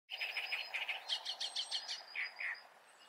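A great reed warbler sings a loud, harsh, chattering run of grating notes, several repeated syllables each, ending in lower creaky phrases.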